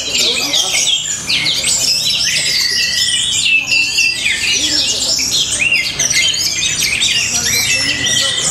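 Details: Orange-headed thrush from Tabanan, Bali, in full song: a long, unbroken stream of rapid, varied whistles, sharp upslurs and twittering trills, loud and steady throughout, with soft background murmur.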